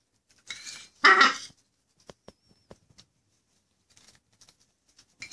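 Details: Hand-fed baby macaw giving one loud, coarse rasping squawk, followed by scattered soft clicks and taps of feeding in a quiet indoor space.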